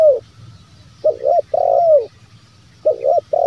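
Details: Repeated lure phrase of a spotted dove, used to get lazy or wild doves calling: a pair of quick coos followed by a longer falling coo, with a second phrase starting near the end.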